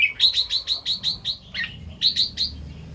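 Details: Red-whiskered bulbul singing in the morning in the double (2-3) and rik styles: a rapid run of bright, short chirped notes about six per second, a brief break, then three more chirps.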